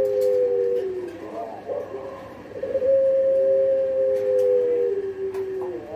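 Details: Pelung dove long call: smooth, level low tones stretched over a few seconds, one held note sliding gently downward, over a noisy background with clicks.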